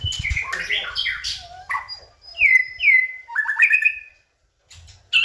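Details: White-rumped shama singing as a lure to spark other birds: a fast burst of mixed notes, then rich slurred whistles falling and rising, a brief silence, and a sharp closing note.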